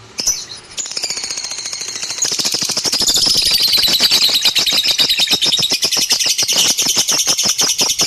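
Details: A lovebird starts with a few squeaks, then builds into a loud, fast, continuous chatter of harsh high pulses that grows fuller and more intense as it goes on.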